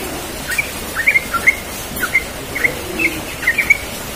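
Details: Yellow-vented bulbul in the morning giving relaxed ropel-style song: short, bright chirped notes clustered in quick pairs and triplets, roughly every half second over four seconds, above a steady soft background hiss.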